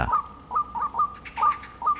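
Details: A White-breasted Waterhen at a reservoir in Gwangmyeong, South Korea, in July breeding season, repeats short, clipped mid-pitched notes in quick, uneven bursts, several within two seconds, calling for a mate; secretive, heard rather than seen.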